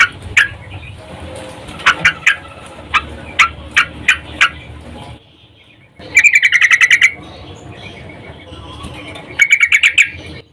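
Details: Calling female yellow-vented bulbul in breeding condition, luring a male: a string of sharp spaced chirps, brief quiet, then two rapid rattling trills of about nine notes each.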